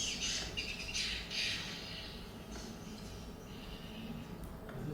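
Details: Pin-striped tit-babbler (Mixornis gularis), a forest bird that wanders to parkland, giving harsh, chattering contact calls in quick bursts, then fainter, over low background noise; contact calls keep a foraging flock together and coordinate movements.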